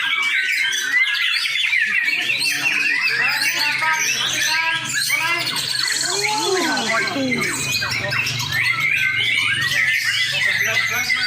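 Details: White-rumped shama in a fighting bout: dense, busy bursts of sharp squawks, chattering notes and rapid whistled sweeps, overlapping almost continuously, with a faint low hum and some voices in the background.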